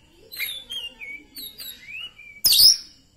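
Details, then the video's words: Poci-type Oriental magpie-robin after therapy: a string of clear, rising and falling slurred whistles, followed by one sudden loud, harsh high burst at the end. "Kacer poci hasil terapi vor NANJUNG 105 jadi nembak"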